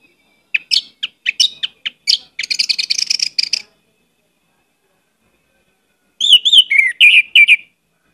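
Orange-headed thrush in rich, varied song: sweet whistled and chattering phrases, a rapid tumbling burst, a pause, then more bright warbling notes. Nothing else heard.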